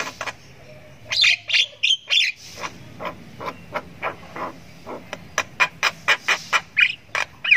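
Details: Javan myna chick giving extended ngriwik chirps while learning to vocalize; a cluster of harsh notes is followed by a steady series of short, sharp chirps, roughly one and a half per second.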